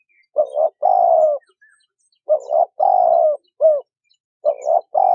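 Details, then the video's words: Male and female spotted doves recorded as a lure for wild birds: groups of low, soft coos, each a paired short note then a long drawn coo, repeated roughly every two seconds with quiet gaps. "Tiếng chim cu gáy trống mái thổ kích bổi"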